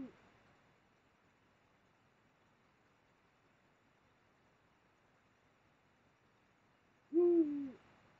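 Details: Single low, falling hoot from a Eurasian eagle-owl during mating, Mosel, Germany, end of January 2022, after a long quiet stretch.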